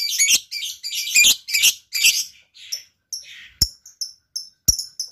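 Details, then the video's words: Lovebird singing in a style described as luxurious: dense, buzzy, high-pitched chattering bursts for two seconds, then a string of short sharp chirps and clicks spaced about half a second apart. "LOVEBIRD GAYA MEWAH. SEKALI BUNYi LANGSUNG YAUT.."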